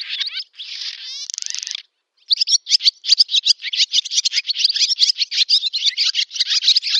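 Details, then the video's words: Village barn swallow in Novgorod oblast, Russia, singing its summer song on 8 August 2013: twitter, a grating buzzy rattle, a brief silence, then a long fast series of sharp chattering notes. "Ласточка-касатка, или деревенская ласточка Hirundo rustica, летняя песня / Barn swallow song"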